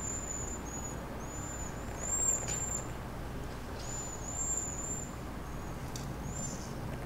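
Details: Cedar waxwings calling at sunset on 4 April 2019, a spring evening of feeding activity; faint, very high, thin whistled notes in loose scattered series, with a faint low background hum throughout.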